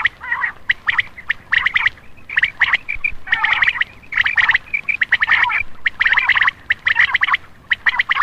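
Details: Common quail calling as a lure for males after dark: rapid, gritty note clusters repeated roughly every second, some runs longer and smeared together, with little background noise.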